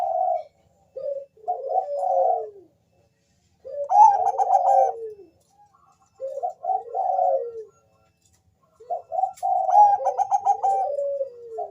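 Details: Zebra dove of the Bangkok type, a lure recording to prompt other doves to answer; soft warbling coos in phrases of about two seconds separated by pauses, some with a bright rapid trilled burst, quiet indoor setting.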